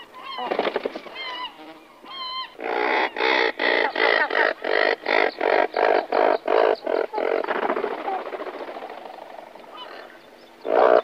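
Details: Several Razorbills in a breeding colony call near their nests before taking off: a run of about a dozen harsh, grating, honking calls at roughly two per second. Other birds call around them, with a few higher wavering notes at the start.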